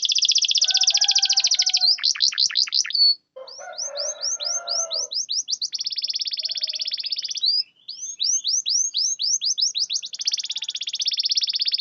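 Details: Canary singing to rouse canaries that will not sing: long buzzy rolled trills alternating with runs of quick descending whistled notes, with a scratchy warbling passage in the middle.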